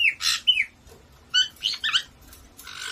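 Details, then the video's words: Pet caiques kept indoors in a household of four, two black-headed and two white-bellied, screaming: harsh, piercing squawks and shrill bent whistles in short bursts separated by brief pauses. "caique screaming"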